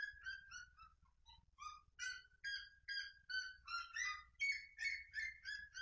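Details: Red-legged seriema singing a clean series of sharp, harmonic yelps that start spaced, dip lower briefly, then speed up into a fast, steady run of loud barking notes.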